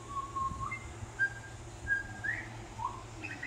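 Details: Friendly male Australian magpie on a balcony delivering a mimicking warbled song: a series of clear, level whistled notes, some sliding upward, spaced about half a second apart, over a constant low background hum.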